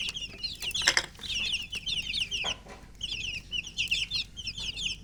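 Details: Many domestic chicks, described as thirsty for drinking water, give a dense chorus of high, shrill peeps rising and falling in quick overlapping runs, with a few brief broadband knocks and rustles.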